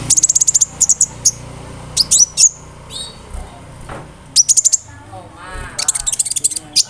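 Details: Konin bird song full of imitations such as cricket and other birds, used to tutor songbirds; clusters of very high rapid ticking trills alternate with sharp whistles and short gaps.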